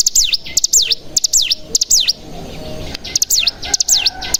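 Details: Mountain tailorbird (cigun) lure song meant to trigger other cigun to sing. Loud swooping V-shaped whistles in quick pairs and triplets, with a short quiet gap midway.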